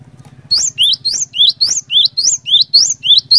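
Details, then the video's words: Cinereous tit singing vigorously, a recording meant to draw other cinereous tits into song: after a short hum-only start, a string of about ten quick two-note phrases, a high whistle dropping to a lower slurred one, repeated evenly over a low mechanical hum. "PANCINGAN BURUNG GLATIK BATU GACOR INI ASLI BIKIN GLATIK BATU LAIN LANGSUNG IKUT BUNYI"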